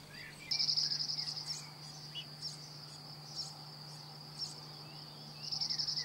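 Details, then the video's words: A cirl bunting (Emberiza cirlus) singing in France gives two dry, rapid rattling trills on one high pitch, each about a second long, over a steady insect-like hum and low background drone. "Bruant zizi- Cirl Bunting - zaunammer ( Emberiza cirlus )"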